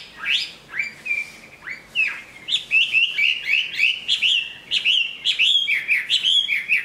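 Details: Moulting Chinese hwamei, a large bird known for strong song and fighting, sings a few upward-sweeping whistles, then a fast continuous stream of warbled, slurred notes.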